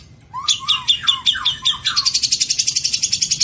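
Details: Long-tailed shrike with a rich song used to tutor other birds, 2022: several dropping whistled slurs paired with buzzy notes, then a fast, steady high trill to the end.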